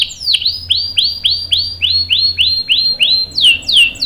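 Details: Canary singing as bait for other canaries: a sequence of evenly spaced, looping downward whistles, about three per second, ending in two sharper sweeps.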